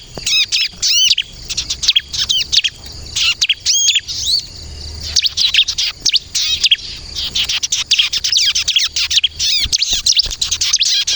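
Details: Energetic bar-winged prinia (ciblek kristal) song used as a lure: rapid, high, scratchy chirps and looping notes in crowded runs, hardly pausing over the passage.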